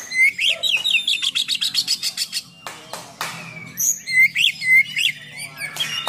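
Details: Oriental magpie-robin in lively full song with coarse fill-in notes, for provoking and training other magpie-robins; a quick run of repeated chirps about four a second, buzzy bursts, then bright rising whistles.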